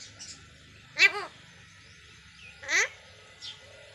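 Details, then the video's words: Pet Indian parrot kept indoors, talking: two short clear mimicked word-like utterances with stacked ringing tones about a second and a half apart, plus faint softer chatter in a small room. "parrot talking"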